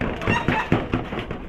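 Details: Broody miniature hen that keeps going broody, giving a run of short, dry clucks about every quarter second, with a person's voice nearby.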